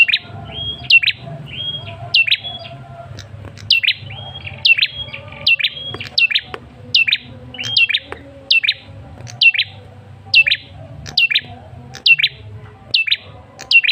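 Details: Lure call of a male red-headed tailorbird, meant to draw an answer: quick, shrill downslurred notes tied to short flat whistles, given in a steady run of about one phrase per second with faint background hum.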